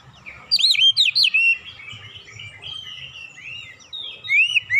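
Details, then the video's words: Oriental magpie-robin with great tit imitation, recorded as a lure: a quick burst of about five loud, looping whistles, then softer warbling and a final rising whistled phrase, faint low hum beneath. "PANCINGAN KACER ISTIMEWA BESET SUARA GLATIK BATU"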